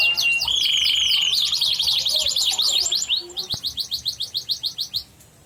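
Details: Yellow canary singing, a recording used to prompt another bird to sing: fast rolling trills, a buzzy held phrase, then a long series of quick repeated downslurred chirps slowing and fading.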